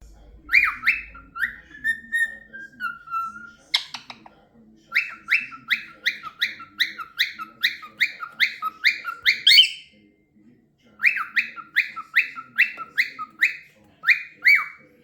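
Cockatiels give loud, repeated whistled chirps, each sliding sharply downward in quick rhythmic runs.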